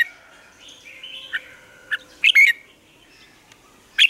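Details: Red-whiskered bulbul singing in the morning, used as a lure to train other birds: short bright whistled notes and sharp rising chirps in scattered bursts, with a faint steady hum beneath.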